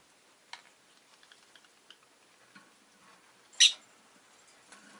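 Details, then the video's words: Pet rosy-faced lovebird giving one loud, sharp, shrill chirp amid scattered soft clicks and faint chirps across five seconds. "Lovebird Chirping Sounds"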